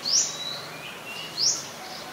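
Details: An Olive-backed sunbird (Cinnyris jugularis) in mangrove forest in Thailand gives two thin, high, rising calls about a second and a half apart over faint background hiss.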